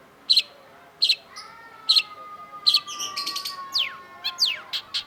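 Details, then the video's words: Long-tailed shrike in a master recording: four sharp chirps at a steady pace, then a long level whistle and a quick run of buzzy notes and steep downward-sweeping squeals. "KOLEKSI MASTERAN CENDET || Long-tailed Shrike"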